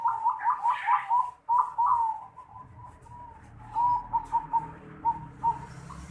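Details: Unusual "noklak" cooing of a zebra dove, recorded December 2020: rapid stuttering coos, then a long level note, then softer spaced coo notes after a pause.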